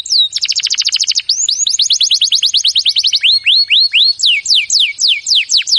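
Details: Canary singing training song phrases: fast falling trill notes, a run of rising-falling whistled sweeps, then slower downward slurs repeated about twice a second, clear and loud throughout.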